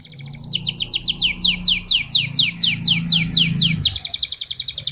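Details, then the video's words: In ngerol style, a domestic canary gives a long series of loud, clear, down-slurred whistles at an even pace, ending in a rapid, buzzy rolling trill. "NGEROL SEJALUR DURASI PANJANG..!"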